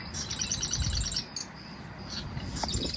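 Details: A Marsh Wren, heard but unseen in coastal marsh on Fripp Island, South Carolina, in spring, gives a fast, high, chattering trill of rapidly repeated notes lasting about a second. Scattered short chips follow over a low rumble of wind.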